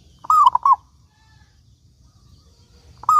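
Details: Local zebra dove, a lively singer used as a lure to get other doves calling: a short clear burst of bubbling, mid-pitched coos with a rolling, stuttered pattern, another phrase beginning at the very end; otherwise quiet.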